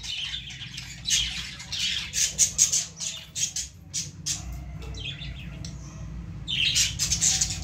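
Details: Baby lovebirds in a plant call with scattered sharp, high tweets and clicks. There is a brief lull after the fifth second, then renewed shrill chatter near the end.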